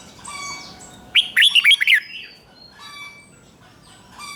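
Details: A caged red-whiskered bulbul delivers one rich, warbling phrase of five or six quick slurred notes in the 'rik' doubled style meant for young birds to copy. Soft whistles from other birds sound before and after.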